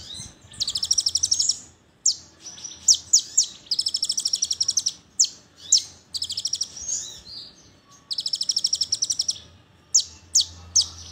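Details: Brown-throated sunbird in tembakan burst song, played to make other sunbirds sing: repeated high rapid trills lasting about a second each, interspersed with piercing single chips, faint low hum beneath.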